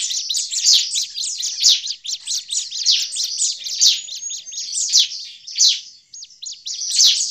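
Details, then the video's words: Agitated Bar-winged prinia chatter, a lure sound for attracting prinias in forest: unbroken, excited stream of sharp high chips with louder emphatic bursts about every second, and a brief pause near the end. "suara ciblek ribut"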